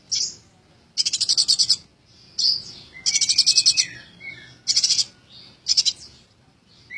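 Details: Tame Eurasian tree sparrow calling: bursts of about eight rapid, high, sharp chirps, each burst lasting under a second, with brief thin whistled notes and short pauses between bursts.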